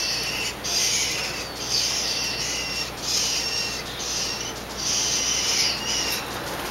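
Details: A baby scrub-jay, rescued in a backyard with a broken wing and hand-fed formula, gives harsh, raspy calls: four scratchy bursts about a second long, spaced roughly every one and a half seconds.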